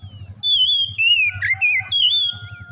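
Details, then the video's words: Oriental magpie-robin song used as daily therapy to get a bird singing: a run of clear, sliding whistled notes, rising and falling and warbling, with a low rhythmic rumble in the background. "TERAPI KACER CEPAT BUKA PARUH HARIAN GACOR"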